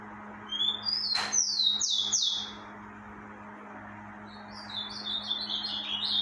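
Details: Rufous-collared sparrow singing heavily during the breeding season: two phrases of clear, high whistled notes that slur up and down, the first around the second mark with a sharp click, the second fainter; steady low hum beneath.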